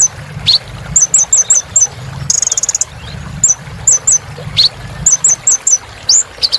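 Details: High-pitched song of a little spiderhunter: groups of four short upslurred chips, a brief rapid trill, and occasional longer rising sweeps, with soft low background rumble.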